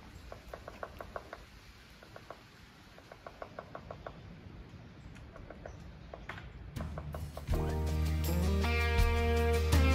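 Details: A woodpecker at work near Abbott Lake, Peaks of Otter, Blue Ridge Parkway, Bedford, Virginia, in autumn, taps on wood in quick, short bursts of four to six knocks, soft and distant, as music swells in near the end.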